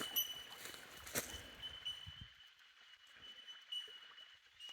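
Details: Bell miners (Manorina melanophrys) at a Conondale riparian site chorus with steady, high, bell-like contact pings that ring on and overlap without a break, over low wind or handling rumble early on.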